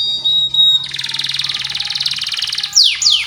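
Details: Canary lure song for training juvenile canaries. A thin high whistle gives way to a long buzzy rolling trill, followed by two sharp descending sweeps.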